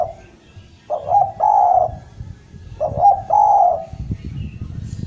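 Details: {'caption': 'Javan spotted dove in steady, lively cooing, meant to restart doves that have stopped calling: low hollow phrases, each a short double note then a longer drawn coo, repeated about every two seconds over faint background noise.'}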